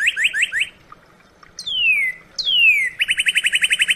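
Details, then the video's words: Northern cardinal: a few quick rising chirps, then two long whistles gliding downward, followed by a fast even series of about a dozen repeated notes. "SOUND CARDINAL NORTHERN BIRD"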